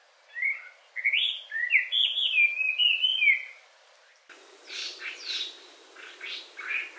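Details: Hwamei, or Chinese Thrush, in Hawaii singing a fast string of loud rising and falling whistled notes. It is followed by a quieter, noisier stretch of softer chirps.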